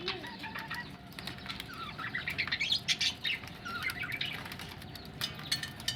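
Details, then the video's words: Budgies ready for laying eggs, chattering busily: quick warbled chirps and squeaky twitters overlapping, with sharp clicks and wing flutters throughout. "budgies ready for laying egg"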